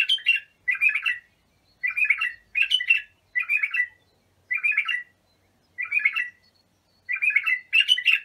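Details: Training song of a bulbul for young bulbuls: lively repeated warbles, pairs of chirpy phrases followed by single ones, delivered at a brisk, even pace.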